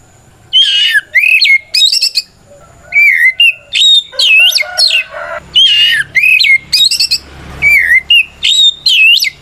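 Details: White-rumped shama singing a loud fighting song meant to call out rivals and goad silent shamas into replying; varied whistles sliding between low and high, rough scratchy notes and quick high trills, delivered in dense bursts separated by brief gaps.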